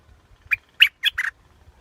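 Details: Scarlet-backed flowerpecker singing: a quick phrase of four short, sharp chipping notes within about a second, bright and slightly buzzy, over a faint low rumble.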